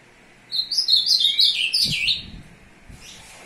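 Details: A male Ultramarine grosbeak (Cyanoloxia brissonii) courting a female on 2 June 2022 sings one rich, fast phrase of high, sweet notes that tumble downward over about a second and a half, with a soft thump partway through.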